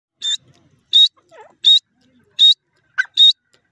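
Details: Grey francolin (desi or Irani teetar) calling: loud, sharp, high whistled notes with a clipped ringing quality, five repeated about every 0.7 seconds, with faint softer sounds between them in an otherwise quiet background.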